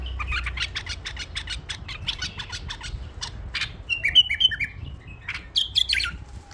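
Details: Rapid clicking and tapping fill the first half, then a tame bulbul adds a short run of clear whistled notes and a few sharp chirps.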